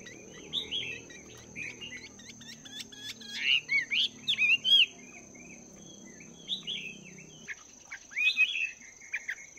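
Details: Chinese hwamei, caged for two months, singing during morning voice practice: bright rising and falling whistled phrases in separate bursts, some repeated, against a faint continuous high tone.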